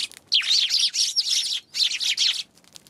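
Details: Eurasian tree sparrows recorded January 11: two dense runs of overlapping scratchy chirps, the first lasting over a second, then a brief pause and a shorter second burst.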